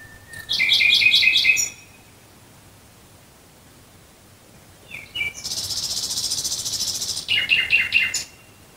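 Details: Night song of a Nightingale near Dresden, Germany: a rapid pulsed trill, a pause of three seconds, then a buzzy sustained phrase ending in quick repeated chirps.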